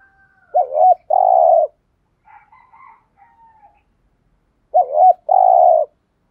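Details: Decoy spotted dove cooing to provoke wild doves into answering: two coo phrases about four seconds apart, each a quick wavering note and then a longer, even, throaty coo, with faint soft murmurs between them.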